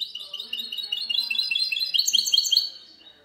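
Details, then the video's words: Goldfinch hybrid singing in 'cante limpio' fashion, 19 March 2020: a dense, rapid chattering trill of high twittered notes, rising in intensity, then trailing off into quiet. "mixto de jilguero cante limpio"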